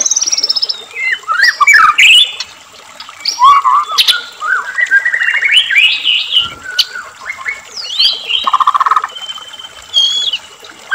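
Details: White-rumped shama singing, used to get caged shamas to sing eagerly: a continuous varied stream of whistled slides, chattering bursts and a low buzzy rattle, with barely a pause between phrases.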